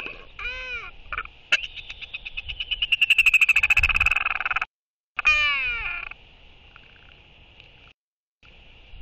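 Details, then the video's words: Royal albatross pair in courtship interaction, one bird welcoming an incoming banded mate with skycalls and displays, recorded 11.6.23: drawn-out braying nasal calls, then a fast rattling pulsed series swelling louder for about two seconds, then descending wails. "Royal Albatross ~ Beautiful Courtship Interaction Between Two Albies! Skycalls & Displays"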